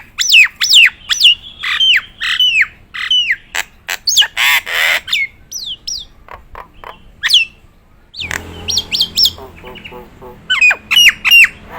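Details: Nias hill myna, a trained performance bird, giving loud varied calls: bright whistled notes with sharp rising and falling sweeps, interspersed with harsh broadband squawks and clicks, repeated rapidly over the whole stretch.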